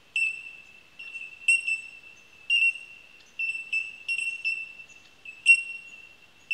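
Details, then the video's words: Bell miners (bellbirds) give pure, ringing bell-like pings on one high pitch, several birds overlapping about once a second, with no other sounds. "Bell Minor Bellbird Calling"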